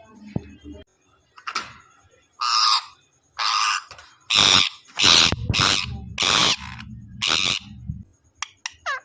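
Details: Pet parrot, called a talking parrot, giving a series of loud harsh squawking bursts, each under a second, with a few sharp high notes near the end and brief human speech and music early on.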